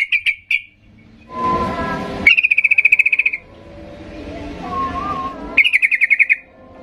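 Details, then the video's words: Sooty-headed bulbul singing in an agitated state to goad quiet birds into replying; quick runs of pulsed chirps alternate with a loud hissing, rushing noise and a faint lower warbling tone. "Macam macam Trucukan gacor ngamuk memancing trucuk diam Bisa bisa Nyaut Emosi tinggi"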